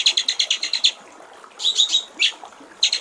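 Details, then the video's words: White-rumped shama in a clear water-trickle song for training other songbirds: a fast string of high chips, a pause, a few buzzy note clusters, and a final quick run. "masteran murai batu/ suara jernih gericik air"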